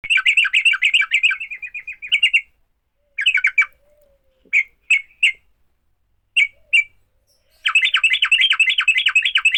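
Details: Sooty-headed bulbul giving a fighting song meant to spur other bulbuls into song: rapid chattering bursts, then scattered short two-note phrases with silences between, ending in another long fast run.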